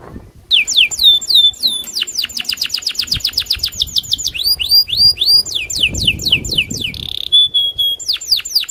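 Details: Loper-style canary singing agitatedly to challenge a rival into song: fast tours of high, steeply sweeping whistled notes repeated about four per second, switching to buzzy rattles and a brief harsh burst near the end.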